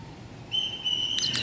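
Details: A male Oriental magpie-robin in an over-excited breeding condition, judged not yet stable for competition, gives one long, steady, high whistle lasting about a second, ending in two quick chipped notes, over a faint background hum.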